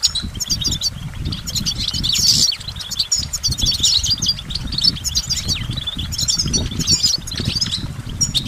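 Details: Goldfinch song: rapid, twittering, high-pitched phrases of varied chirps and liquid trills running almost continuously, with frequent low thumping and rustling noises underneath.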